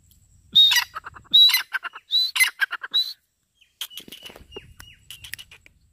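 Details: Grey francolin giving four loud, shrill phrases about every 0.8 seconds, each a high whistled note followed by buzzy after-notes, then softer scattered chirps.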